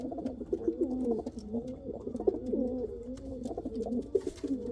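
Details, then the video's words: Several pigeons, of the Kal Cheeni or Rampuri breeds, coo in low, throaty, rolling phrases that overlap continuously, with a faint hollow indoor echo. "Pigeon sound | kal cheeni kabutar sound | Rampuri kabutar sound"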